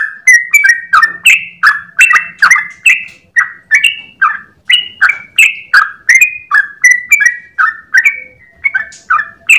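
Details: Sooty-headed bulbul delivering long-phrased 'ropel' song in the morning, recorded as master song for other bulbuls: lively run of rich, bubbling slurred notes, about three a second, varying in pitch, a faint low drone underneath at first.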